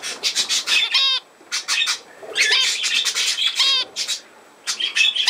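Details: Budgerigar chattering in bursts: a falling, harmonic whistled chirp, then clusters of buzzy clicks and squeaks separated by brief pauses.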